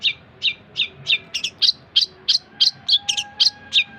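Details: Long-tailed shrike singing, meant as tutor material for songbirds: a steady series of loud, sharp chirps with occasional doubled notes, about three each second, with faint tonal hum behind.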